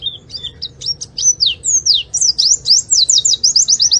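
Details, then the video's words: Oriental white-eye singing, a song suited to luring other birds: varied high whistled slurs and chirps building into a fast, even series of sharp descending notes near the end. "Burung Pleci cuitannya gacorr cocok untuk pancingan!!"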